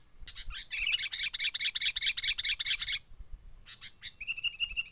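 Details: Sooty-headed bulbul trapping lure call from the wild, 'menggaruda' style: a long, rapid rattle of sharp chattering notes, a few separate chips, then a steady thin whistled trill, with background rumble.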